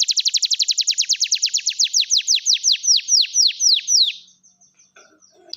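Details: Canary song used to prompt silent canaries to sing: a rapid trill of sharply descending high notes that gradually slows, about twenty strokes over four seconds, then quiet with faint chirps.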